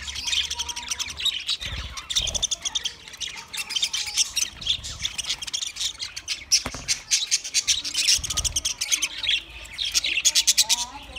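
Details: Long stretch of budgerigar flock chatter from twenty pairs: dense squawky warbling and sharp high chirps, with rising whistled notes near the end and faint low bumps.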